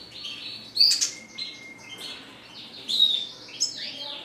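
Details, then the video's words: Red siskin song in sparse phrases: a thin high whistle, a long flat tone and buzzy downslurred twitters, separated by short pauses. "RED SISKIN CLASICC MEWAH GACOR 24 JAM"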